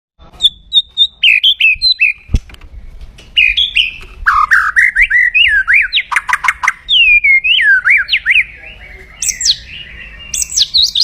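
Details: White-rumped shama giving loud, aggressive kretekan crackling song meant to stir up rivals: varied whistled notes, rising and falling slurs and sharp clicks in quick bursts, with a faint low hum underneath.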